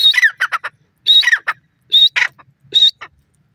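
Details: Francolin in natural grassland giving short harsh phrases, each starting with a high whistled note then a rough scratchy stutter, four phrases spaced under a second apart, clean background.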